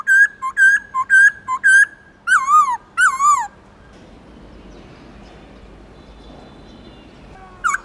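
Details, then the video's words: Black-throated laughingthrush giving many-voiced forest song to excite captive birds. A string of short bright whistled couplets leads into two long downward-sliding, overtone-laden notes, followed by quiet. "Khướu bạc má Hót Nhiều Giọng kích trống căng lửa/Luyện khướu bạc má hót giọng rừng cực chuẩn"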